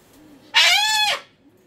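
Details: Pet cockatoo in an indoor meltdown giving one loud, harsh, rich scream lasting over half a second, steady then falling away, with a faint low voice beneath.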